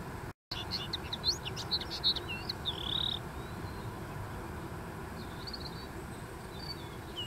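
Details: A common linnet sings on a dune: a dense run of chirps and twitters, ending in a drawn-out whistle, then faint scattered notes. Brief dropout near the start, with low background noise throughout.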